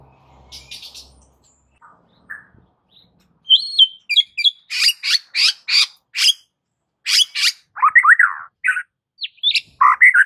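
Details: White-rumped shama in furious, fighting-mood song for training other shamas: a few soft notes, then a series of loud, sharp, high explosive notes mixed with short whistled slurs.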